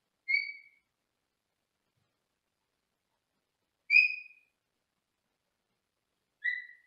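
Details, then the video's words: Pet Senegal parrot in a small cage in another room, giving three short whistled notes spaced a few seconds apart, each a clear tone with a fainter higher overtone, in otherwise silent surroundings. "Saturday With A Senegal 50"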